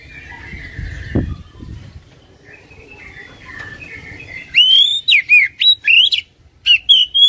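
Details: Kacer (Oriental magpie-robin) trigger song for getting a lazy bird to sing: faint background notes at first, then in the last seconds loud, clear whistled notes with rising and falling slurs in quick succession.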